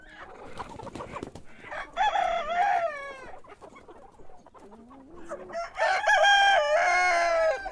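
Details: Cock crowing in the morning, two crows with a quieter low call between them; each crow starts with short broken notes and ends in a long, bright, wavering drawn-out note.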